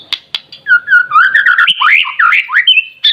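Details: Juvenile white-rumped shama singing: two sharp clicks, then a flowing sequence of mellow whistled notes that climbs into twisting, swooping phrases and ends with a bright high note.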